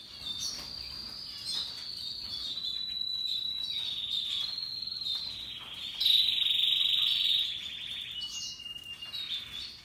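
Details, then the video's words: Russian yellow and Timbrado canaries singing: long high rolling trills with a louder burst near the middle and steady twittering throughout, the tones close to a cricket-like buzz. "Canaries Paradise Song Sound"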